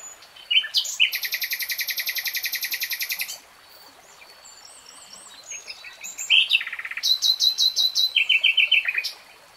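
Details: Nightingale in full song: a long, fast, even trill of throaty notes lasting two seconds, a short pause, then varied phrases of whistles and rapid repeated chirps.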